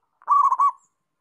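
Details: One brisk phrase from a local zebra dove in active song: a half-second run of soft, rolling, bubbling coo notes, with silence before and after.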